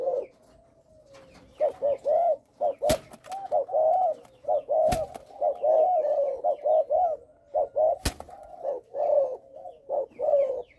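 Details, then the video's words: Young spotted dove of Malaysian stock, kept caged, with a stuttering start of three notes: soft low coos in uneven groups, a drawn-out note early, and several sharp clicks between phrases. "gù cà lăm 3 tiếng đầu"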